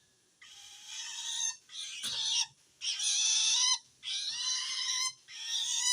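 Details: Threatened by another shrike, a long-tailed shrike calls to wild birds of its species with five drawn-out rasping screeches, each about a second long, following in close succession.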